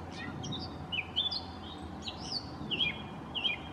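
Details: Gray catbird singing like a mockingbird: varied short squeaky and whistled phrases, some rising and some falling, delivered in quick succession over a steady low background hum.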